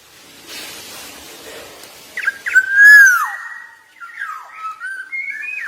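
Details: Black-naped oriole from Java singing actively: after soft background hiss, short clipped notes lead into a loud, full fluted whistle dropping at the end, followed by lighter whistled notes that step upward.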